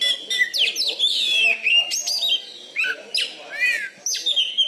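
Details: Oriental magpie-robin, a caged contest champion from Bengkulu, Indonesia, prized for its loud volume and fighting style. It sings energetic strings of sweeping whistles, arched notes and sharp chirps in quick bursts.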